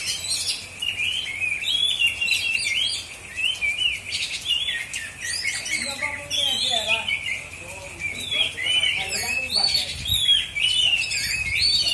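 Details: Competition singing by an Oriental magpie-robin (kacer) of the black-and-white kind in South Aceh, Indonesia: a continuous run of loud, rich whistles, rapid trills and slurred notes, with other contest birds and low voices beneath.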